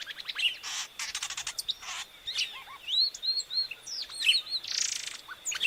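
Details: Song of the epaulet oriole: rapid clicking rattles, rising and falling whistled phrases and broad raspy bursts, repeated in quick irregular sequence above a constant high whine.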